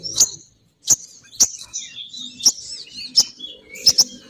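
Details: Female sogon bird (crimson sunbird) call used as a lure to draw males down. The call is a series of sharp, very high chirps, about seven in four seconds at uneven spacing, with thin, wavering twitters between them.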